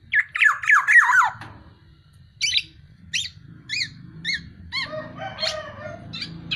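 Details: Tame, vocal black-naped oriole: a rapid run of slurred, warbling notes for over a second, then spaced sharp chevron-shaped chirps and a buzzy harmonic phrase, with a low rumble underneath.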